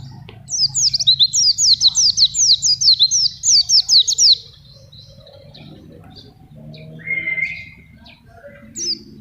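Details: Oriental white-eye, forest-type bird kept on banana, singing for tutoring young birds and trapping wild ones. A rapid burst of high twittering, downslurred notes for four seconds, then quieter scattered calls and a lower whistle.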